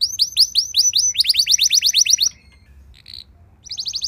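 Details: Canary song meant to make other canaries sing: a fast series of upswept slurred notes accelerating into a trill, a short pause with a faint chip, then the trill resuming.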